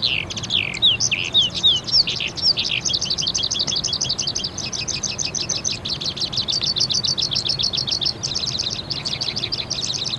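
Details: Singing crested lark recorded around Islamabad, Pakistan: a few slurred whistles open, then a long fast twittering trill of high, evenly repeated chirps continues for several seconds, with only faint background noise.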